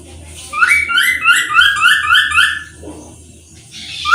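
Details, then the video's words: Recorded cockatoo song played back for a class: a quick run of about seven bright, rising chirped notes, evenly spaced, then a short gap and one more rising note, over a low steady hum. "Ahora, compañeros, vamos a escuchar su canto de la cacatúa."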